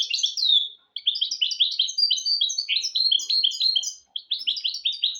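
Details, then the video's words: Cross-bred goldfinch × canary producing a lesson song for goldfinches and canaries. Lively high chirps and short trills come in quick sequence, with two brief gaps between the phrases. "تغريد طائر الهجين الميستو حفاضة ودانية لتعليم طيور الحسون والكناري بدون أخطاء"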